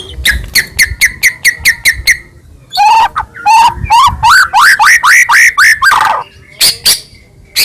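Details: White-rumped shama in full song, used to draw other shamas into singing. A row of sharp clipped notes, then a loud series of rising whistled phrases repeated about once a second, closing with a few abrupt chips.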